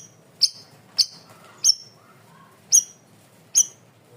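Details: Cream-vented bulbul, a loud and clear masteran recording for training birds: five piercing, high, clipped notes, each with a brief falling trail, spaced roughly half a second to a second apart, with a soft lower warble in between.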